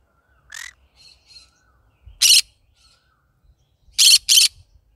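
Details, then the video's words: Pet yellow-sided green-cheeked conure calling in the morning: a descending raspy note, soft chirps, then loud harsh squawks, the last two in a quick pair. "My bird singing to day Green cheek conure yellow sided"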